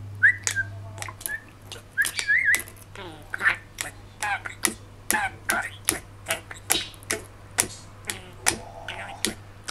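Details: Excited pet budgerigar, male, three and a half years, talking to a mirror on a post-rain morning; a run of crisp regular clicks mixed with brief whistled phrases and garbled speech-like warbles, with a low background hum.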